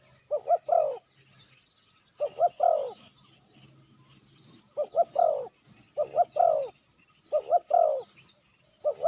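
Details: Lure call of a spotted dove used to attract wild doves. Repeated phrases of two quick coos and a longer falling croo are spaced a second or more apart. Light high chirping from other birds sounds in the background.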